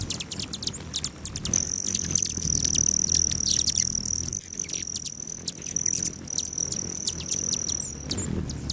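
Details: Clear, loud high steady buzzing trill lasting several seconds, surrounded by quick sharp high chips. Recorded among hummingbirds visiting patio feeders at a lodge just south of Great Sand Dunes National Park, Colorado, on a July morning.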